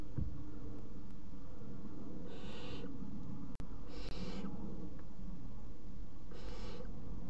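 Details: Three barn owl chicks in a nest box at 01:30 on 30 June 2016, eating a mouse, give three harsh, breathy hisses about two seconds apart, each half a second long, over a low steady hum.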